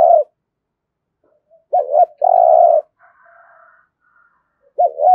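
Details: Thổ-voice cooing of a spotted dove, meant to prompt other doves to coo: a double wavering note and a drawn-out low coo midway, a fragment at each end, and soft murmurs in between.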